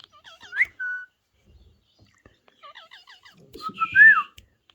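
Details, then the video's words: Ringneck parrot talking: a few short chirps, then a clear level whistle. After a pause comes a quick run of small chirps and a loud rising-and-falling whistled phrase with a faint low rumble beneath. "Ringneck parrot Talking Sound"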